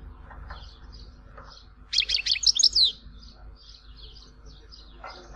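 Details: Goldfinch song of the Tizi Ouzou style, Algeria: a short, loud burst of bright twittering in the middle, with soft high chirps scattered around it over a steady low hum.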